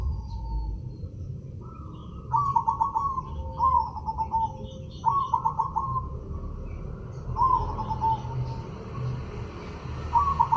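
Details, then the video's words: Zebra dove of a white, red-eyed form giving its rapid, rolling trilled coos in repeated phrases, each ending in a falling note, amid low background rumble and faint distant chirping. "Burung Perkutut Putih Mata Merah Gacor"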